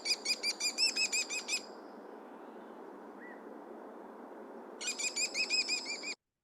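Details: American Kestrel, North America's smallest falcon, gives two bursts of rapid, shrill, squeaky notes, about eight per second, like a laugh or squeaky dog toy, separated by a pause with steady background hiss.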